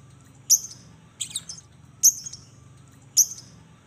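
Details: Lovebird giving short, sharp, very high chirps spaced about half a second to a second apart, some doubled, in a recording meant to spur silent lovebirds into song; faint low hum underneath.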